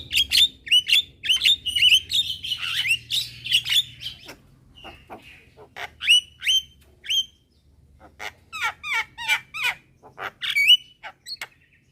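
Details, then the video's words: Javan mynas by day, a young bird calling its companions and others replying: quick runs of sharp, downslurred whistled notes, a short pause, then further bursts of clipped chirps. "Kicauan Jalak Kebo Gacor Siang Hari - Jalak Kebo Muda Memanggil Teman Bikin Semua Jalak Nyaut"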